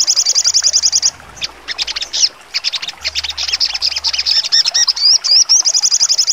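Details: Sogon in trotol style with 'nembak tajam' sharp bursts: it opens with a fast piercing trill, breaks into jumbled high chatter, adds a few wavering whistles and ends on another rapid trill.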